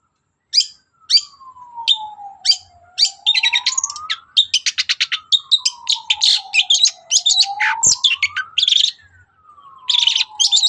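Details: Long-tailed shrike's morning song, used to draw answers from other birds: spaced harsh chips building into rapid, varied chattering and trills, over a steady, smooth tone slowly rising and falling in the background.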